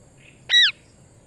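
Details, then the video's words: Parrot giving a single short, loud, harsh call that rises sharply then slurs downward, in an otherwise quiet setting. "cute parrot real voice🦜"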